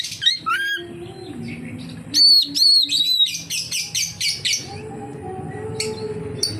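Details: Oriental magpie-robin (kacer) in lively gacor song, played as a lure to draw other magpie-robins into singing: clear high whistles and rising slurs, then rapid bursts of sharp chattering notes, over a steady low hum.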